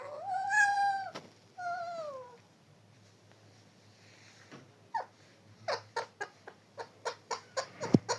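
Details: A talking parrot produces two drawn-out, wavering voice-like calls, then a sequence of quick sharp clicks and taps repeated roughly four times a second.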